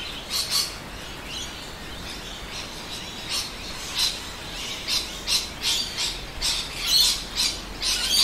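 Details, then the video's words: Many rainbow lorikeets in suburban Adelaide, South Australia, at midday in winter, with noisy miners about, give harsh, high, rasping screeches in short irregular bursts, about one every second, over a faint hiss of background noise. "Rainbow Lorikeets Singing"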